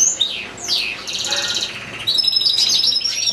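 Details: Caged European goldfinch in full recital alongside two goldfinch-canary hybrids and another goldfinch: a sweeping high whistle, then a rapid rattling trill and a bright twittering run, clear and loud.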